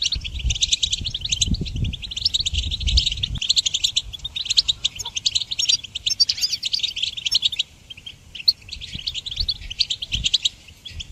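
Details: Goldfinch song for teaching songbirds, with a dense, fast twittering and jingling stream broken by a short gap around 8 seconds, then resuming; low rumbling noise during the first three seconds.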